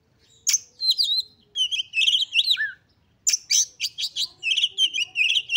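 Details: An Oriental magpie-robin in full, excited song to spur rival magpie-robins into singing: dense bursts of sharp chattering notes mixed with warbled whistles, a low downslurred whistle, then a rapid run of repeated chirps.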